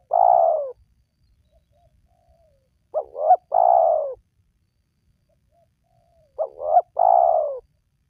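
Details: Spotted dove lure call to make quiet wild doves sing: the end of one long coo, then two complete phrases of two brief rising notes and a long descending coo, spaced about three and a half seconds apart.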